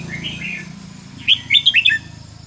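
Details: A red-whiskered bulbul delivers a short, varied phrase for teaching young birds: soft warbling over a low background hum, then four quick, bright whistled notes bouncing up and down.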